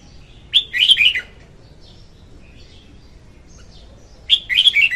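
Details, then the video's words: Female red-whiskered bulbul song for luring birds into traps; a rich phrase of rapid whistled, slurred notes, then after a pause a second similar phrase starts. "Tiếng chim chào mào hót Ko Tạp Âm dùng đi bẫy"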